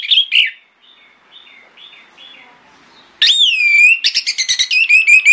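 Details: Orange-headed thrush singing in the morning as a lure to draw answers from other thrushes: loud sharp whistled notes open, a quiet stretch follows, then rich rising whistles and a fast run of bright repeated phrases.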